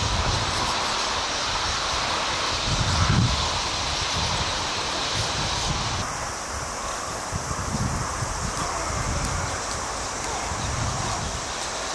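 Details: Steady rushing, rustling noise like wind or distant traffic, with no distinct animal calls standing out.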